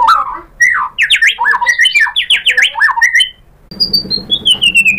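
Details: White-rumped shama lure song to draw out mimicked phrases: harsh, fast zigzag squawky notes in dense bursts, followed by a long thin whistle sliding slowly downward.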